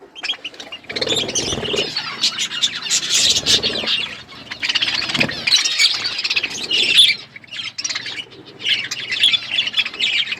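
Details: A group of budgies chatters continuously while eating: a thick wash of high, scratchy, warbling chirps with brief pauses and a few low knocks from feeding.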